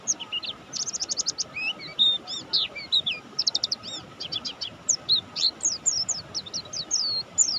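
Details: Mountain white-eye, buxtoni form, in full active song: rapid, high, varied twittering with fast trilled bursts, sweeping slurred notes and short chirps running continuously over a soft constant background hiss.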